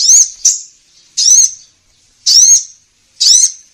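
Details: Sunbird lure sound (kolibri ninja) for trapping: four loud, high, squeaky wavering notes, each about a quarter second long, spaced roughly one second apart, on a silent background.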